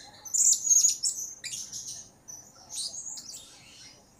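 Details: Blue-crowned hanging parrot calling actively, used to lure other birds: a loud, shrill, very high whistled burst, followed by softer buzzy high twitters in quick, irregular succession.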